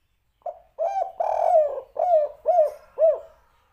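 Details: Spotted dove, kuk 3 three-note master recording: a soft lead-in note, then a drawn, slightly rough long coo followed by three clear, rounded, downward-arching coos spaced about half a second apart.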